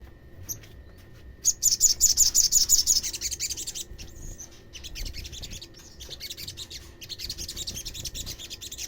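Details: Olive-backed sunbird call used as a lure to provoke other sunbirds into calling: a rapid, high, buzzy chattering trill of about a dozen notes lasting over a second. Softer scratchy chatter follows, with faint background hiss.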